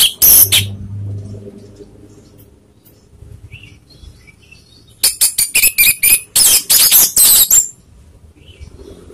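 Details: Orange-headed thrush lure song used to anger rival birds: after an opening pair of sharp notes and a long quiet spell, a rapid run of about a dozen bright, clinking, high-pitched notes in quick succession.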